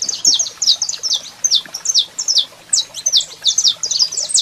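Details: Male saffron finch singing with a female calling, used to stir up another bird: a fast run of high, sharp chirped notes, about two per second-fraction, steady and lively throughout.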